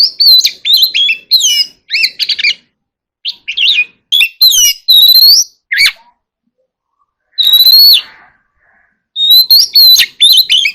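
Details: Oriental magpie-robin in contest singing: loud, fast runs of whistled and chattering notes, one long bright whistle, and a final flurry of sharp phrases.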